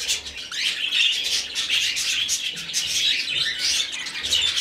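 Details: Hand-fed rescued budgerigar chick begging nonstop with harsh, rasping pulses repeated several times a second, steady and insistent throughout.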